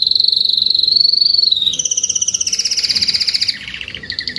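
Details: Adult Spanish Timbrado canary in song, a long smooth rolling trill that holds steady, then shifts to a faster pulsed, slightly descending trill, ending with short repeated chirping notes; quiet background hum.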